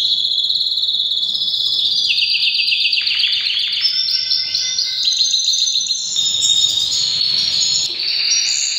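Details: Canary song during breeding season, a long unbroken flow of high trills that climb and drop in steps, with a rapid stuttering passage mid-way and sustained rolls after.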